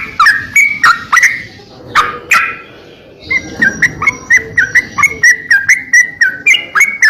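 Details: Greater green leafbird, kept as a master tutor bird in full voice: a few scratchy notes, a quiet pause, then a thin high sustained tone under a fast even series of clicking whistled notes, about four per second.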